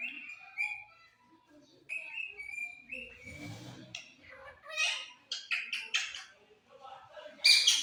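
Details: Pet rose-ringed parakeet talking: level whistled notes, muffled speech-like chatter and a rising run of sharp, squeaky syllables, ending in a loud shrill burst.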